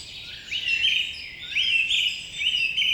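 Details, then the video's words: A bird gives clear, loud, slurred whistled phrases in the morning, each rising and then levelling off, repeated about every second over soft background chirps. "Birds chirping sound effect"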